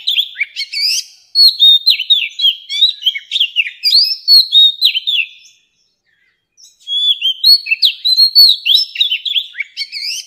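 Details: Oriental magpie-robin, an old wild bird whose song is played to teach young birds: long runs of fast, varied whistles, sharp downward-slurred notes and scratchy high chips, roughly four notes per second, broken by a one-second gap.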